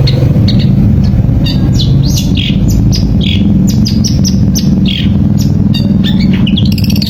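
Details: Lure recording of long-tailed shrike song meant to prompt a quiet shrike to sing: a rapid, busy series of harsh, high squawking and chirping notes with downward slides, set against constant low-pitched droning noise.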